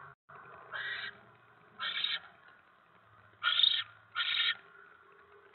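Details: Barn owl on a live nest camera at 7:50 PM on 10 November 2017, during a mouse delivery at the nest: harsh, hissing screeches in four separate bursts, each under a second long, with quiet gaps and faint low background rumble between them.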